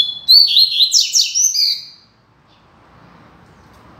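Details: Double-collared seedeater, a caged male kept and trained for singing, delivering a loud, firm phrase of rapid whistled and warbled notes lasting about two seconds, followed by quiet room background.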